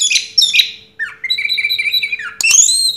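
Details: First-place 2022 orange-headed thrush mixes high slurred notes with a lower warbling, wavering passage, then a sharp high whistled flourish; a faint steady hum runs beneath.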